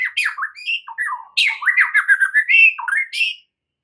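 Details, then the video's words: White-rumped shama singing as a lure for other shamas: a continuous, varied torrent of slurred whistles and chattering notes, rising and falling quickly for about three and a half seconds. "PANCINGAN Murai batu untuk MEMIKAT murai lain AGAR GACOR dan TAMBAH ISIAN"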